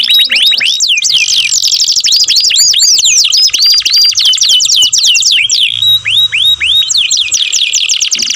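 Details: Canary in loud song: long run of rapid downslurred whistled notes in fast trills, a short buzzy passage, then more looping whistles, with a faint low hum in the background.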